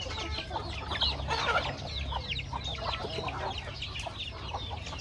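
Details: Chickens feeding on corn on a backyard farm, a crowded chorus of short peeping calls and clucks running together over a low background hum.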